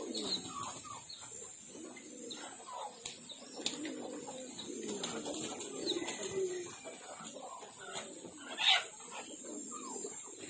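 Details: Blue Pomeranian pouter pigeons give low, soft, rolling coos in overlapping bursts, over a steady high hiss and a brief wing flutter near the end.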